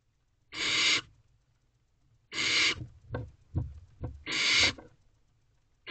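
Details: Nest-box barn owl chicks after midnight, one owlet swallowing a mouse while the others watch. Three long, harsh hissing screeches stand out, separated by soft clicks, rustles and low bumps of shifting bodies.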